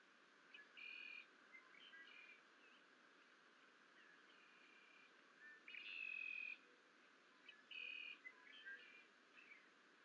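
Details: Two Bald eagle chicks hatched April 9, in a nest at Fort St Vrain, bonking each other after a parent leaves, 21 April 2024: thin, high whistled calls, held and slightly rising, in bursts roughly every two seconds over steady hiss.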